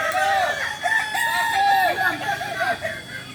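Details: Kokok Balenggek roosters at a joint training session in Ampang Kualo, Solok city, West Sumatra: long, wavering crows in overlapping, stepped syllables, with several birds calling together and faint voices behind.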